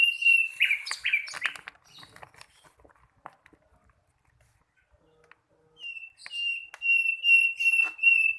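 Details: Sikatan londo, a young flycatcher still learning, gives sharp steady whistles mixed with chattery notes, falls nearly silent for a few seconds, then resumes with loud, repeated piercing whistles.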